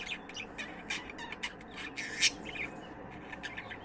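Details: Budgie chirping with rapid clicks and one loud, harsh chirp near the middle, the rest made of soft warbled twitters.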